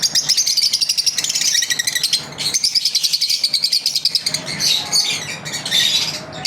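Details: Pet lovebirds chirping as part of their daily routine, long runs of rapid pulsed trilling notes repeated many times per second, then higher squeaky chirps toward the end.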